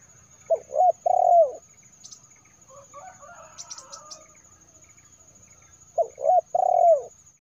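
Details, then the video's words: Spotted dove cooing, used to lure wild birds: two phrases of short hooked coos ending in a longer falling coo, separated by about four seconds of faint background chatter and a few brief high clicks, over a constant thin high whine. "SUARA BURUNG DERKUKUR TERBARU 2022 TERKUKUR PIKAT"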